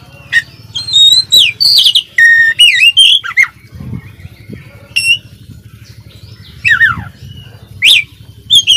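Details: Oriental magpie-robin song used as a training master for a caged songbird: loud, varied whistled phrases, slurred rising and falling notes and rapid sharp chips in irregular bursts, with a steady low hum underneath.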